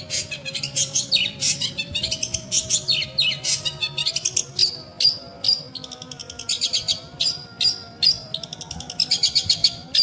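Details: Long-tailed shrike in lively song, rapid bursts of sharp, high chattering notes and brief whistles in uneven phrases, with faint steady tones in the background.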